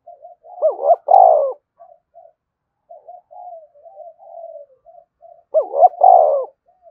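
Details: Spotted dove giving its coo to spur other doves into cooing: two loud throaty rolling coos near the start and end, with softer low murmured notes between, no other sounds.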